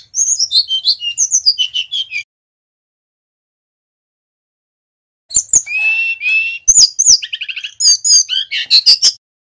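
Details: Bali male Brown-chested jungle flycatcher singing its varied repertoire as a training and lure song: a two-second burst of quick high whistles and trills, a pause, then a longer phrase with buzzy notes, clicks and sweeping whistles.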